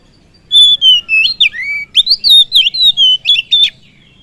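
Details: Oriental magpie-robin (kacer) singing to stir up other birds: a continuous phrase of rich whistled notes, a long level tone opening, then swooping slurs and sharp upward flicks in quick succession.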